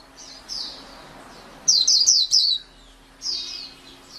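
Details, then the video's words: White-eye singing: bursts of high, slurred chirping notes at about 1.7–2.5 seconds and again near 3.3 seconds, separated by quiet gaps, with a steady low hum underneath. "SUARA MAHAL KICAU BURUNG PLECI"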